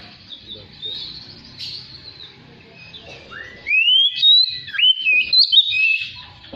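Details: Oriental magpie-robin lure song to prompt an untrained caged bird into full song and tail display: quiet chatter at first, then loud rising whistled sweeps and sharp slurred notes in quick succession.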